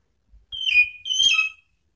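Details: Orange-headed thrush calling to provoke rivals: two bright whistled notes about half a second apart, each sliding slightly upward, the second longer and ending in a brief lower tone, with faint soft knocks beforehand.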